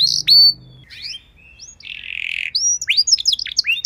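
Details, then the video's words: Canary song meant as a master to teach other canaries: sharp high notes, a sustained buzzy rolling trill, then quick jumbled whistles and chirps rising and falling. "Masteran dan Pancingan Burung Kenari Biar Punya Lagu Mewah!"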